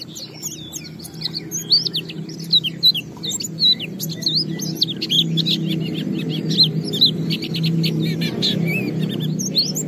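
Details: Oriental white-eye singing as a lure for other white-eyes: scattered high chirps and whistled notes against a noticeable low droning hum, the singing growing sparser over time.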